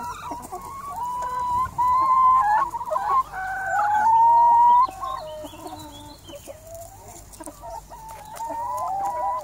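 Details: Large flock of 180 hens producing loud drawn-out cackling calls and steady clucks, with tonal notes wavering up and down in overlapping bursts separated by short quieter spells.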